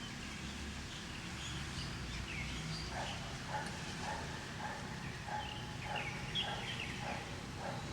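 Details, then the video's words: Birds calling outdoors on a foggy, drizzly morning while it is still dark and the sun has not yet risen: short chirped notes repeated about twice a second, with scattered higher twitters over a steady low background hiss. "Terdengar kicauan burung" walau pagi ini gerimis."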